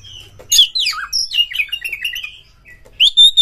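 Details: Kacer, or Oriental magpie-robin, singing as a lure for birds in mating mood: sweeping rising and falling notes flow into a jumbled, continuous warble, ending with a clear high sustained whistle.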